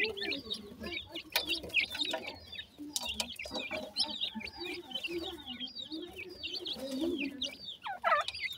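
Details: Baby partridge chicks calling while feeding: busy overlapping high thin peeps and chirps, with lower soft clucking notes and scattered tapping or pecking sounds throughout.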